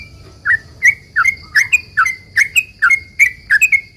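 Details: Rapid 'ropel panjang' song of an actively singing sooty-headed bulbul, used as a lure so other bulbuls answer: a brisk series of clear slurred chirps, some paired, over a constant high whine and low rumble.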